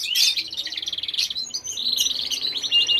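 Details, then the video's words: Canary singing energetically, a rapid high run of rolling trills and buzzy rattles with a few brief whistled notes, shifting pitch slightly between phrases, heard indoors. "kenari lagi gacor"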